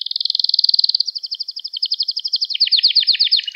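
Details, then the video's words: Canary song used to train young canaries: a steady high rolling trill, then a slower pulsed phrase with doubled notes, dropping into a quicker, buzzier trill near the end, about four notes per second, no other sounds. "Müthiş Ders Gibi Kanarya Sesi Ve Ötüşü"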